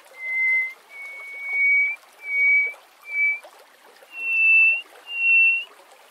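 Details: Greater hoopoe-lark song: slow, evenly paced pure whistles, each held about half a second. The first notes sit level, and the last two are pitched slightly higher. Soft background hiss.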